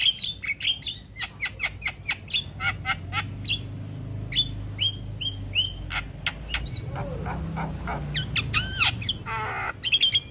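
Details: Javan myna giving a stressed response after hearing another Javan myna's call: bursts of sharp chirps and clicks, rising whistled upslurs and short harsh rattles, loud and irregular, over a steady low hum.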